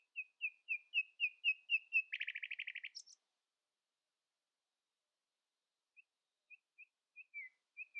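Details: Common nightingale in early-morning song, asserting itself over rivals: a series of repeated whistled notes that accelerate into a fast rattling trill and a high flourish, then silence and sparse soft notes.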